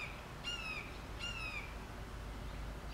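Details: In June 2014, a recently released juvenile red-shouldered hawk calls to its foster sibling about 100 yards away: two clear, slurred kee-ah screams, each dropping in pitch, about a second apart, over a low rumble of wind.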